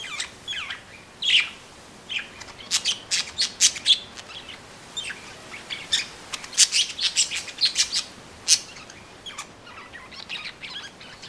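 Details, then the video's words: Parakeet song as a busy run of quick, high chirps and thin tweets, some notes rapidly repeated, with hardly a pause across the whole stretch. "Chant perruches | Bruit de Perruche"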